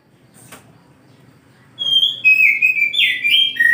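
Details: Oriental magpie-robin (kacer) singing in the morning: after a quiet start, loud clear whistled phrases, sliding and stepping downward, some notes buzzy, delivered in a rapid varied run.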